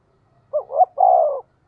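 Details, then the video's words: Lure-calling spotted dove, 'giọng thổ' voice, sounding one 'tiếng thúc' phrase. A short note and a rising second note, then a longer steady note that falls away at the end. The background is quiet. "cu gay kich boi nhanh noi gù, tiếng thúc cực đỉnh"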